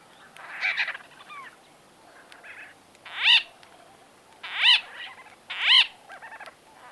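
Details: White-fronted bee-eaters in conversation, recorded from medium close to close range: squeaky, nasal, slightly rolling calls with rich overtones, some in quick pairs, one louder burst about every second near the end, over a quiet background.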